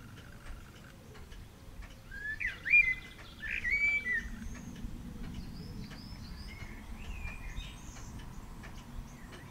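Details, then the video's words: Eurasian blackbird, heard as if answering another blackbird in the background, giving a few clear fluting whistled phrases, then fainter high twittering notes over a steady low rumble of background noise. "Blackbird chatting with friend"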